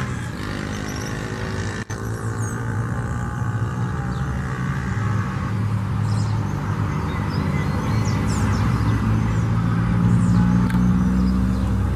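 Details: A steady low rumble of passing vehicle traffic fills the recording, with no clear animal calls.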